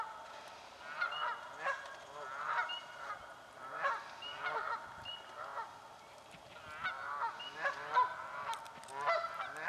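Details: Canada geese fighting for nesting places in a swamp, a steady series of honks roughly every second, several birds overlapping, harsh and nasal with rising and falling notes.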